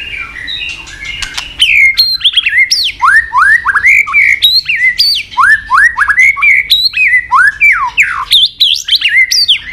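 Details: White-rumped shama singing a long, varied training song of forest voices with 'tach' clicks. Rapid runs of loud downslurred and upslurred whistles are broken by sharp snapping clicks, nearly continuous throughout.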